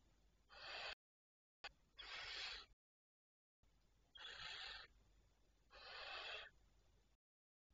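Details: A barn owl gives four harsh, breathy hissing screeches, each under a second long, about every one and a half seconds with brief silent gaps, recorded 19 May 2023 at 01:37 at night; several barn owls noted.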